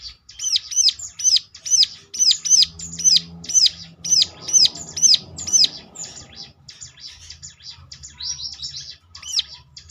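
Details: Prinia lure song meant to set other prinias singing in reply: a steady train of high, looping chirps about twice a second, then softer, scratchier notes toward the end.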